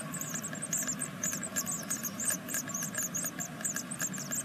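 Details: Great tit nestlings on the sixth day of a second brood, in a nest in Veszprém, Hungary: a dense, continuous stream of thin, very high chirps, many overlapping and rapidly repeated, over a low steady hum.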